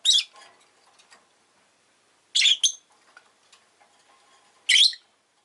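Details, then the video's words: Rosy-faced lovebird producing loud, harsh squawky chirps spaced roughly every two seconds, each a short high rasping burst, with soft faint ticking sounds in between. "Lovebird Chirping Sounds"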